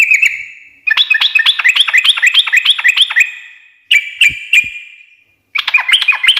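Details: Yellow-vented bulbul (trucukan) delivering rapid ngekek chattering to set off replies from other birds: a long run of scratchy, evenly quick notes, a ringing pause with clicks, then chatter again.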